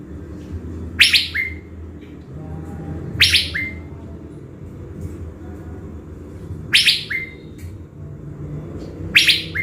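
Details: Decoy blue-winged leafbird, caged, Bình Thuận province, Vietnam, being readied before going to the forest: four scratchy chirps every two to three seconds, each followed by a short clear whistle, low background hum.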